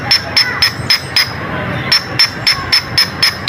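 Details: A Coleto (Sarcops calvus, locally kuling) gives a fast, steady run of harsh metallic clicks, about four a second, each with a thin high squeak, over a low background hum.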